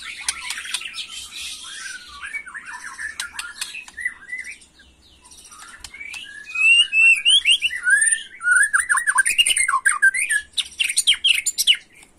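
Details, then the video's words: White-rumped shama, a young bird, in agitated 'macul' style: scratchy chattering and soft twittering give way to loud rapid sequences of clear whistled, slurred notes with sharp high chips. "Murai Batu emosi Gaya MACUL‼️pancing emosi BuruNG Muda"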